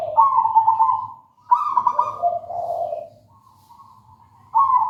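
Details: Local zebra dove singing: a rolling higher coo, then a phrase that steps down into a lower, softer purr, followed by quiet and the start of another phrase, over faint low hum.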